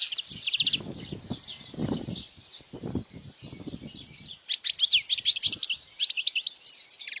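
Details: European goldfinch singing for young goldfinches to memorize: high twittering at the start, a stretch of muffled low rumbling noise, then a renewed rush of fast buzzy trills and chirps.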